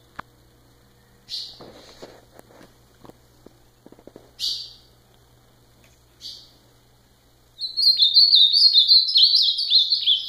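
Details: Ultramarine grosbeak: three separate short buzzy notes spaced about two seconds apart, with soft clicks and knocks between them, then a loud, rapid warbled phrase of descending slurred whistles running to the end.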